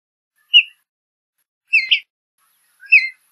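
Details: Three separate chattering chirps from a western bluebird, roughly a second apart, the middle one a doubled, fluttering note.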